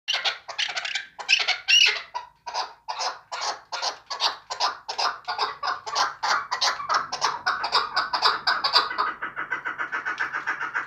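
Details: Chukar partridge kept as a hunting bird, calling in a long run of harsh, clipped chuk notes about three per second, loud and evenly paced, turning quicker and softer in the final seconds; no other sounds.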